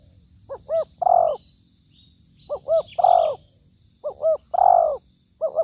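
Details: Trapping lure of a spotted dove calling: repeated low phrases of two fast clipped notes and a long hoarse coo, four phrases in under six seconds, faint high chirps of other birds behind.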